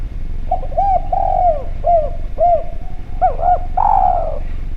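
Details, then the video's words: Vocal spotted dove on a lure recording: evenly spaced soft coos, about one per half second, with a few longer notes, closing in a strong, drawn-out, falling coo. Steady faint hum in the background. "Derkuku Djawa Gacor Suara Bening, Spesial Suara Pancingan"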